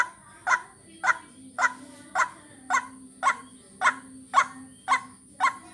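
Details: White-breasted waterhen calling for bird luring: a steady series of about eleven clipped, croaking notes, nearly two per second, with a faint hum and a continuous high whine behind.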